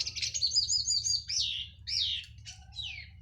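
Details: Post-moult local orange-headed thrush of Cililin singing loud plong style: a fluttering warbled phrase followed by several down-slurred bright whistles, a low background hum throughout.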